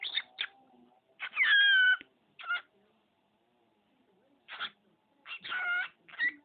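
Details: Pet male budgerigar talking indoors, mimicking household phrases and human sneezes: short scratchy, raspy syllable bursts separated by pauses, one drawn-out tonal phrase with clear wavering harmonics in the middle, in a quiet room.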